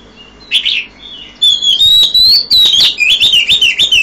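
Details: At 5 a.m. an Oriental magpie-robin gives a short whistled note, pauses, then pours out a fast, loud string of rising and falling warbled whistles mixed with sharp ticking sounds.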